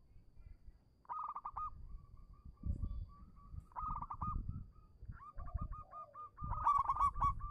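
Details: Zebra Dove of a local type singing as a lure to prompt silent doves: bursts of rapid rolling coos alternate with strings of soft hooked notes, while low rumbling background noise rises and falls.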